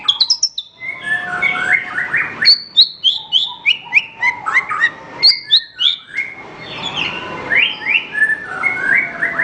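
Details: Horsfield's bush lark singing, kept as a master recording for training other birds: a varied, jumbled stream of high downslurred whistles, quick chirps and lower buzzy warbled phrases, rapid and irregular throughout.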